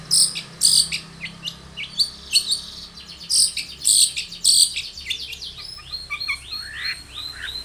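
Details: Long-tailed shrike in full, lively song, used as a lure to prompt other shrikes to sing: bursts of sharp high chirps and rasping notes in irregular clusters, then a run of quick rising, slurred whistles near the end.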